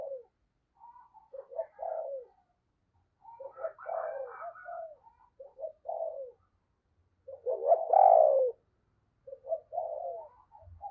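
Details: Spotted dove acting as a decoy to attract wild birds, with 'giọng sấm bầu' deep voice: groups of short coo notes building into a louder, rough drawn coo, repeated several times with short gaps.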